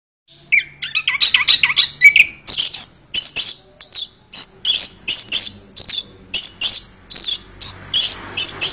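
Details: Chestnut-backed thrush singing a fast, varied song: a few lower whistled notes, then a dense run of very high, sharp chirps and trills repeated in quick bursts, with quiet surroundings.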